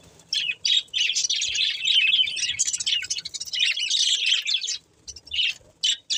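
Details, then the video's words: Budgies keep up a long, continuous high twittering warble, full of fast scratchy chirps, then break off into a few short separate squeaks. "Budgies Chirping Sounds"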